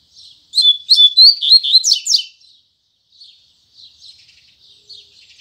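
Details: Double-collared seedeater singing its Tui Tui Zel Zel style song firmly in the morning: a fast burst of bright, high chirping notes, some sliding and rising, lasting about two seconds, followed by soft scattered twitters.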